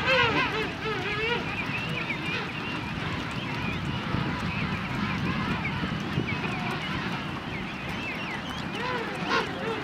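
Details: Crowded king penguin colony, South Georgia: countless quavering, rising and falling warbled calls overlap into a steady roar, with occasional louder nearby calls above a low, noisy background.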